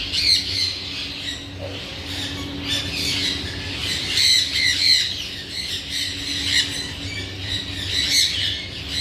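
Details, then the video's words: Dense chatter of parrot squawks, rapid harsh rasping notes tumbling over each other throughout, with a steady low background hum. "raw parrot"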